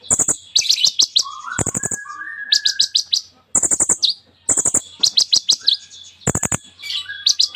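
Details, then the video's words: Caged kolibri ninja sunbird in full song with borrowed phrases, fast bursts of sharp high chips alternating with short sliding whistles, repeated in quick clusters every second or so. "KOLIBRI NINJA GACOR FULL ISIAN MEWAH"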